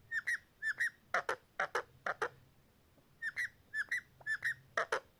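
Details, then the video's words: Parrot whistling in paired sharp notes, bursts repeated about twice a second, with a short pause midway before the pattern resumes. "parrot nice voice talk"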